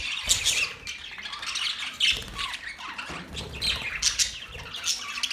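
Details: Budgie chatter of rapid, high, scratchy chirps and short squawks, coming in bursts with brief dips between them, steady and lively throughout.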